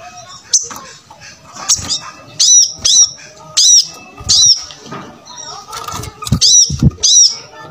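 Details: Lively brown-throated sunbird song meant as a tutor recording for young birds: high, piercing chirped notes in short bursts about once every second, with brief gaps and some softer chatter between them.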